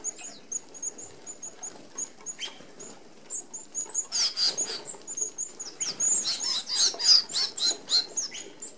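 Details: Feeding flock of Australian Red-browed Finches at an open aviary feeder with 25 mm mesh; a string of faint, evenly spaced high peeps builds into a dense burst of excited chirping and fluttering wings.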